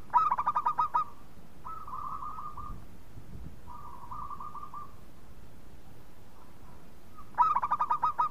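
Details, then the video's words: Local zebra dove in full song, used as a lure to make other doves sing: a quick pulsed trill, two long sustained mellow coos, a pause, then the pulsed trill again. "Perkutut Lokal Gacor Bikin Yang lain Manggung"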